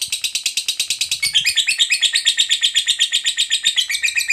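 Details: Rapid ngekek chatter of a fighter lovebird, used as a prompt for lovebirds that have stopped singing: a fast, shrill, slightly uneven rattle of scratchy notes, shifting in tone after the first second and running continuously.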